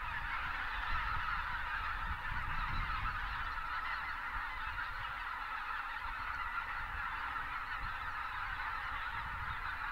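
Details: Thousands of Greater white-fronted geese in winter south of Uvalde, South Texas, with pelicans taking off among them; dense, continuous honking chorus from many birds at once, over a steady low rumble.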